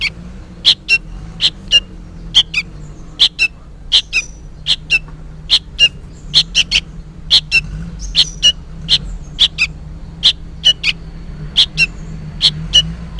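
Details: A young sooty-headed bulbul chattering loudly, seemingly calling for its parent. Short, scratchy chip notes repeat steadily, roughly every half second, sometimes doubled, in a long unbroken series over a soft low hum.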